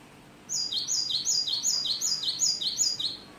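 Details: Great tit song with many variations: a rapid run of about seven high two-note phrases, each a sharp upper note dropping to a lower one, repeated evenly over three seconds against faint background hiss.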